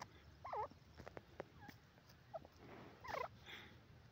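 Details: Grey francolin (dakhni teetar) calling: two clear looping, curled notes rising and falling in mid pitch, about two and a half seconds apart, with faint clicks and low background rumble between them.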